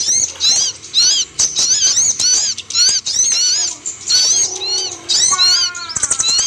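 A sunbird sings a fast, high twittering run of thin, sharp chirps and looping trills, repeated in bursts with brief pauses between them.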